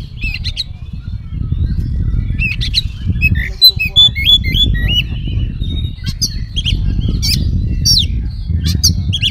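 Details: Oriental magpie-robin in full varied song ("isian"), used as a lure to make other magpie-robins answer; whistled notes, rising and falling slurs, and sharp high chips over constant loud low rumbling noise.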